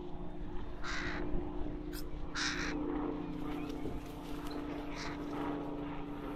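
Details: Young crow in the Rosental park, Leipzig: hoarse, rasping caws at about one and two seconds, then a fainter one near five seconds, over a steady low hum.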